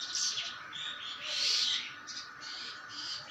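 Common myna giving harsh, scratchy chattering notes in a steady run of high bursts, with a louder rasping burst midway and a faint steady hum behind.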